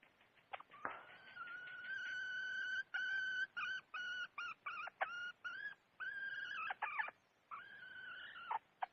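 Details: Wild red junglefowl hen: a clear rising tone held steady, then choppy clucking notes with wavering pitch, slightly quieter with some low background noise.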